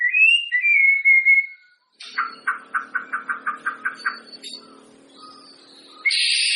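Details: Song of a white-rumped shama used to test a contest bird's voice before competing: a clear whistled slur, then a rapid series of about ten even pulsed notes, ending in a harsh buzzy burst.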